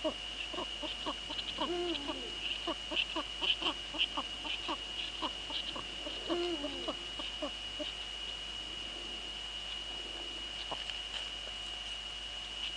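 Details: Eurasian eagle-owls, Netherlands, 2 February 2013, 19:15. The female is at the nest and the male is nearby. Two short low hooting notes with sliding overtones appear near two and six seconds amid dense irregular clicking, with a steady thin whine throughout.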